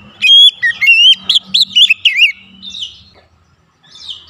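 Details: Oriental magpie-robin singing with varied fill phrases for training other birds: a rich, high whistled run of rising and falling slurred notes and sharp chips, fading into softer warbles, over faint low hum.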